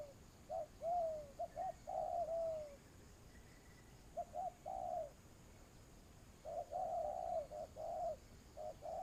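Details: Spotted dove used for trapping as a lure, cooing in three bursts separated by quiet gaps, each mixing short notes with longer falling coos; faint higher bird chirps show between bursts.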